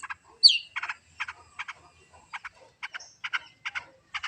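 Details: Long-tailed shrike song, a training recording made so a kept bird keeps singing: short buzzy harsh bursts repeated about every half second, with one high sweeping whistle near the start.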